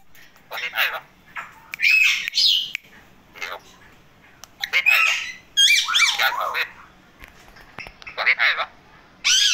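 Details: Male Indian ringneck parakeet, a pet bird in happy mode, giving a string of harsh, rising and falling squawks and chattering notes in uneven bursts, with short quiet gaps between them.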